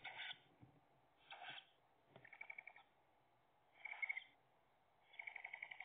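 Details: Tawny owl nest box on 3/5/2021, as the female brings an earthworm to the nestlings: five harsh, hissing rasps, each about half a second long, at an irregular pace of roughly one per second. Nothing else is heard.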